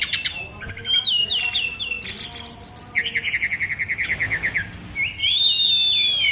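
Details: Brown-chested jungle flycatcher, Bali type, a fighter bird with an overflowing repertoire of mimicked sounds. It sings clear whistled notes, a long buzzy trill of repeated chips, then a sustained wavering high whistle.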